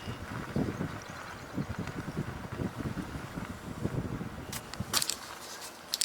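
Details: Rumbling vehicle and wind noise with low thumps, then a few sharp clicks near the end, without any animal sounds.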